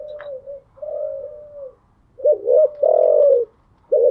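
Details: Morning coo of a caged spotted dove: two drawn-out soft coos, then a loud burst of short hoots leading into a sustained deep coo, with another hoot starting at the end.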